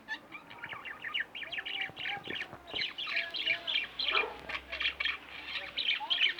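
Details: Chattering pet budgerigars, a pair in the home, pour out quick, bright chirps and squeaky warbles nearly without pause, with a few lower whistled slides beneath.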